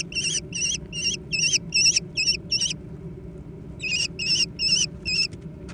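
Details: Young American kestrels competing for food give a series of piercing, squealing notes at a quick even pace, pausing for about a second midway before resuming, over a low steady hum.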